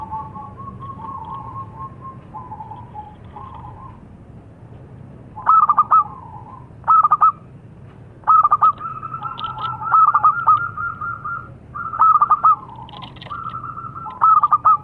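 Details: Local zebra dove: faint soft coos at first, then a series of loud stuttering coo phrases every second or two, with a few faint higher chirps in the background.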